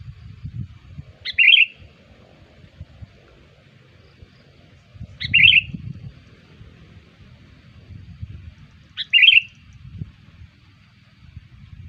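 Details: Lure call of the sooty-headed bulbul, played to attract bulbuls: three short liquid phrases repeated about every four seconds, with soft low rumbling throughout.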